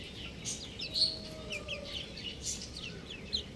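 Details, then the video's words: Buff chicken chicks chirp in a busy chorus of short, high, falling peeps, several birds calling at once, one sharper note near the middle, over a steady low background hum. "Adorable Chick Sounds | Amazing Chicks Chirping Sounds"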